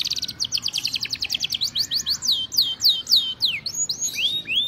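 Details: Singing male canary gives a fast high chattering trill that slows into a series of sweeping downslurred whistles, each repeated about twice a second, ending with rising-falling arched notes.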